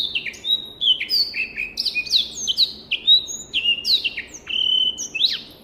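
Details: Black-throated canary, an African finch also called blackthroat, on a clear tutor recording for training birds: quick series of sweet whistled notes, sliding down and up, with sharp rising and falling strokes and a long flat whistle near the end.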